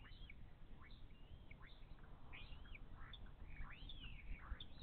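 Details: Bald eagle nest in the Little Miami Conservancy, April 2023, during a fish feeding when the eldest chick stops the smaller one from eating. Irregular high, slurred squeals and chirps sound over a steady background hum.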